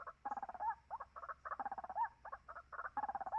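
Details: White-breasted waterhen call played as a lure to trap birds: harsh, nasal croaking notes in quick uneven bursts, several short pulses grouped together with brief gaps, over a low steady hum.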